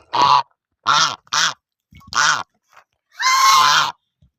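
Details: Goose honking: short, hoarse, nasal blasts in quick succession, then a pause and a longer, louder, rasping honk near the end.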